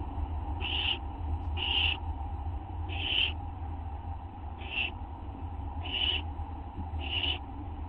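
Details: Owl at 11:07 PM on 19 August 2011, eating a treat in a corner while another owl lingers outside; six short, breathy, high-pitched bursts, roughly one every 1.3 seconds, over a steady low hum.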